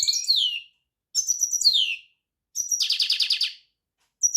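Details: European goldfinch delivering three short phrases, each about a second long, of high twittering notes that glide downward. A fourth phrase is a scratchy rapid buzzing trill, and another twitter starts at the end.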